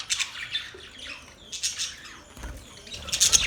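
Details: Budgerigar chirping in short scratchy bursts of high warbled chatter, with brief quieter gaps between them and a few low thumps.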